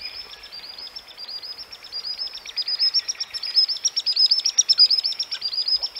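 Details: A Common Sandpiper in Central Russia gives courtship display and alarm calls at disturbance: a rapid run of thin, high piping notes that quicken and grow louder into a shrill trill, over faint background hiss.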